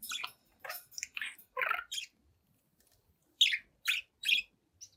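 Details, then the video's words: Young pet budgerigar, seven months old, chatting in front of a mirror: bursts of scratchy, buzzy chirps and warbles with short gaps, then three louder clipped chirps near the end, quiet room. "Young Budgie Talks, Dances, and Sings in Front of the Mirror"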